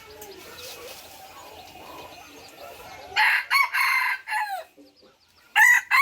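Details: F3 red junglefowl crowing after a quiet, murmuring stretch. The crow comes in strong harsh segments with a falling end, and a second crow starts just before the clip ends.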